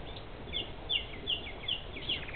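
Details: Common nightingales singing at Susteren, Limburg: short bright notes followed by lower trailing phrases, repeated roughly every 0.4 seconds over a constant low rumbling background.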